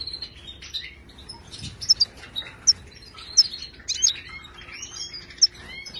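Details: Wild Moroccan goldfinch singing a tutoring song for caged birds; a fairly quiet, scattered series of thin high chirps and twitters with brief sharp accents, against a soft steady low hum.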